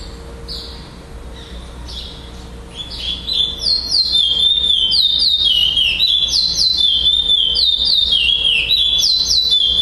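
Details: Chestnut-bellied seed finch, a young brown male in a cage, winning first place at a Florianópolis, Santa Catarina singing contest on 11 December 2011. A few scattered whistles build into a sustained, fast run of sweeping, looping whistled notes.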